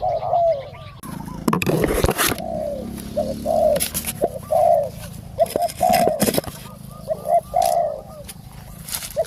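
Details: Decoy luring of a wild spotted dove. Falling coos recur through the stretch, interrupted early by loud sharp knocks and clatter, with a low rumble underneath.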